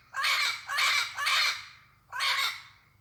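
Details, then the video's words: Parrot living free in the wild, giving four harsh, raspy squawks, each about half a second long, three in quick succession and one after a short pause, over a faint low background hum. "Papagaio mostrando o seu lindo canto, solto na natureza."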